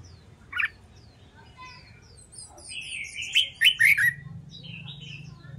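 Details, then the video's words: Red-whiskered bulbul in song training: one brief note, then a lively run of bubbling, slurred whistles rising and falling, with a low hum behind. "LUYỆN CHÀO MÀO HÓT ĐẤU/ BỔI NHANH MỞ MỎ SỔ GIỌNG/ CHÀO MÀO HÓT VUI MỖI NGÀY"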